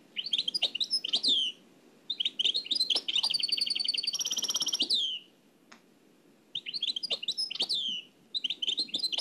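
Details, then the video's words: Nightingale singing in the Oued El Alleug style, transferred from an old cassette: short chirpy bursts separated by pauses, with a rich rolling trill in the middle. "تغريد واد العلايق نقلته عن كاسيت قديم بصحتكم خاوتي معمر روسينيول"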